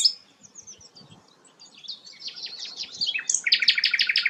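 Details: Sikatan londo, a rare flycatcher, builds from soft high twitters into a loud, fast series of sharp repeated chips.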